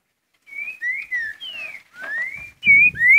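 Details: Green-winged saltator, known locally as trinca-ferro, singing its curricutil song type: a run of clear whistled slurs, some falling and some rising, delivered in quick succession and ending in louder, stronger notes over a few low thumps.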